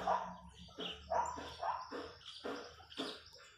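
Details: Wild chachalacas in farmland giving a short series of rough, raspy bursts about every half second, fading slightly toward the end.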